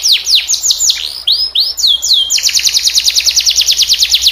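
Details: Singing canary for tutoring other canaries: a string of descending, hooked whistles followed by a long, even trill of rapid repeated notes about ten per second.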